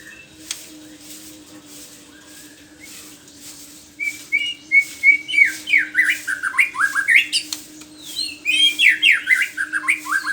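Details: ['White-rumped shama in morning song: after near-quiet, a lively stream of loud, varied whistles begins, with rapid rising and falling slurs and trills, repeated phrases about three per second, and a steady low hum underneath.']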